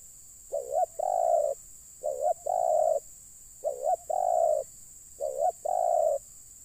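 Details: Spotted dove cooing during a session to lure wild spotted doves down: four phrases, each a short wavering double note and then a longer steady coo, about every one and a half seconds, in a quiet setting.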